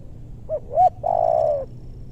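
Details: Spotted dove calling while luring wild birds in a maranti forest in western Bogor; two short rising coos lead into one long, steady, mellow coo that fades at the end.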